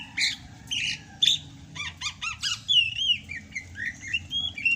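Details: Gacor rainy-season song of a greater green leafbird from Sumatra: a run of harsh, buzzy, evenly spaced notes gives way to fluid whistled slurs and warbles.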